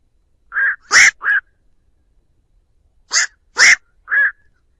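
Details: A black-crowned night heron gives its flock-gathering call, played as a lure: two bursts of three short croaks each, the middle note of each burst loudest and harshest, in clean silence.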